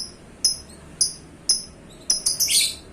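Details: Contest lovebird kept as a pet, uttering short, thin, high chirps about every half second, ending in a harsher rasping burst.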